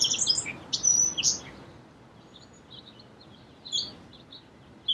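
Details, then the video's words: Song sparrow singing a quick burst of high chirps and a sharp whistle, followed by fainter scattered notes and a brief final chirp. "Song Sparrow Bird Sound"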